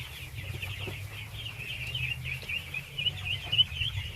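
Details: Baby ducks, thousands of them, being fed: a steady wash of high, chattering peeps rises slightly louder toward the end over a continuous low hum.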